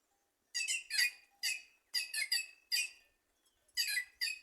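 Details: White-naped jay perched in trees in Simões, Piauí, Brazil, giving rasping, squawky notes in uneven bursts after a brief silent start.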